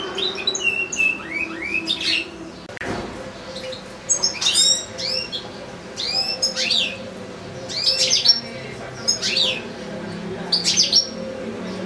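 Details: Caged European goldfinch, one of two kept alongside two small goldfinch-canary hybrids, giving a long, unbroken singing recital: bright twittering phrases of rapid rising and falling notes with sharp chirps, delivered in bursts every second or two, with a faint low hum beneath.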